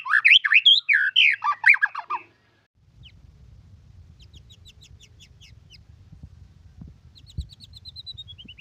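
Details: White-rumped shama song with isian filler phrases: a loud burst of rich, varied whistled and chattering notes for about two seconds, then faint high repeated ticking notes over a low rumbling background.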